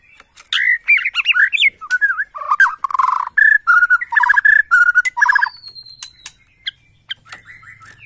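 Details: Lure song of an agitated Bornean white-rumped shama: a rich mix of swooping whistles, rapid repeated notes and trills that fade into faint high notes over a low hum.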